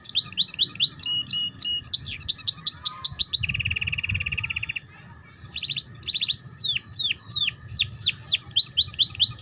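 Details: Young canaries' ngeriwik lesson sung by a canary: rapid repeated sharp chirps, a steady low-pitched rattling trill lasting over a second, a brief pause, then more fast descending chirps.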